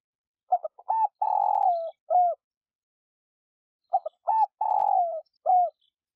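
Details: Spotted dove cooing as a decoy to rouse other doves: two identical phrases about three seconds apart, each made of short broken hoots, a long purring coo, and a final falling note, in a silent background.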